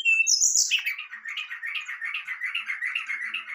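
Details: Brown-chested jungle flycatcher singing excitedly to provoke a response: a harsh high squawk opens, then a rapid, continuous chattering warble, pulsing several times a second through the rest.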